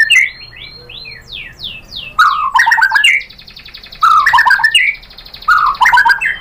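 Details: White-rumped shama, female voice used to lure a male into singing: a run of fast downslurred whistles, then three loud, complex warbling phrases with rich trills, each about two seconds apart.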